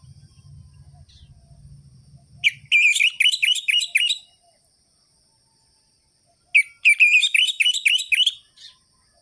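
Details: Orange-headed thrush song in the ngerol-ngeplong rhythm, used to spark singing in lazy thrushes: a low humming rumble fades out before two quick trilled phrases of sharp, descending high notes separated by a pause.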